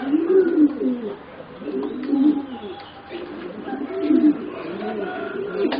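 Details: Low, rounded coos from four young competition-bred singing zebra doves aged roughly 3.5 to 4 months, arched notes repeated about every two seconds, with a faint thin whistle in the background.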